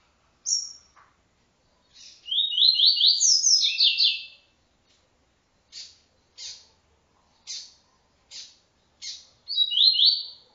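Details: Double-collared seedeater singing an encarte song of the TuiTui style: a high short note, then a run of rising buzzy slurred notes climbing and dropping, followed by a string of sharp separate chips and a final buzzy phrase.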